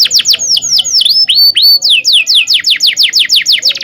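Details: Rolling canary song meant to teach young canaries: a quick run of sweeping whistled notes, then slower swooping slurs, then a steady series of descending chirps, about three per second.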